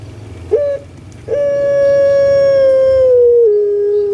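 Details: Puter pelung, a big kept spotted dove from Java, gives a short opening note and then a very long, steady, resonant coo. The coo steps down to a lower pitch near its finish.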